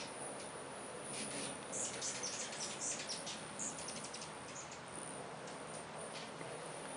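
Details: Many hummingbirds swarming at garden feeders during early spring migration; rapid high thin chirps and squeaks, several per second in bursts, over a steady buzzing hum like a swarm of bees.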